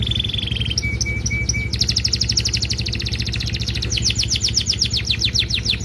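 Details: Canary giving a showy training song for other canaries: a steady whistled note, three short level pips, then long fast rolling trills of rising and falling notes over low droning noise.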